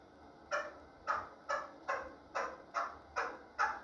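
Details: Chukar partridge, sold as a pet bird, calling indoors: a series of seven harsh, rasping chuk notes spaced about half a second apart, with faint background hum.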